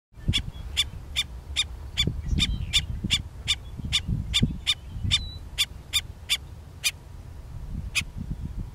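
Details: A black-necked stilt vocally defends its territory on a Sacramento County rice farm, chicks or nest likely nearby, giving a steady series of sharp, yapping notes, about two each second, over low rumbling wind noise.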